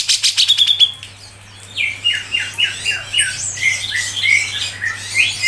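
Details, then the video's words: Cucak jenggot, the Grey-cheeked bulbul, singing a tight 'ngepik' song for songbird tutoring: a short burst of rapid harsh pulses and a high whistle, then a pause and a run of sliding, squawky two-note phrases. "CUCAK JENGGOT MBESET NGEPIK RAPET"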